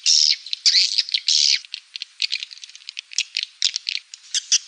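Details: Swiftlet calls played to attract swiftlets: rapid dry rattling chatter and sharp high chirps, clustered in quick bursts with short gaps, some notes buzzy and drawn out.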